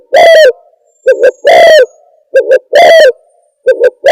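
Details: Spotted dove calling as a trapping lure: sustained coos, each introduced by two short clipped notes, come three times in quick succession. The recording is saturated and gritty, with nothing else audible.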